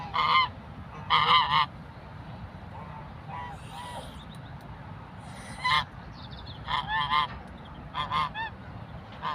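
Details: Aggressive geese chasing people give loud, nasal, harmonic honks in short bursts, roughly one per second, with breathy hissing between them over a steady low rumble.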